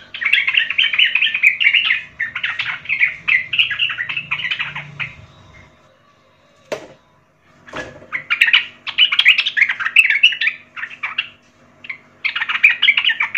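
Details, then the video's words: Young forest sooty-headed bulbul in lively song: long runs of warbled, chattering phrases, broken by a quiet stretch with two sharp clicks, then the song resumes. A faint low hum runs beneath. "trucukan gacor Muda hutan - Paling Pandai MELATIH trucuk Bakalan/Ombyokan Cepat Gacor"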